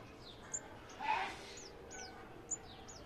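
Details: Male sunbird parent and its fallen chick communicating after the chick dropped from the nest; very high, thin descending chip notes scattered through the clip, with a brief lower muffled sound near the middle.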